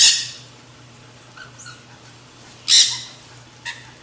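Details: Backyard feeder visited by nanday conures eating seed mix. Two loud, harsh screeches stand apart, one at the start and one near the end, with faint chatter and a short squawk between them, all over a low steady hum.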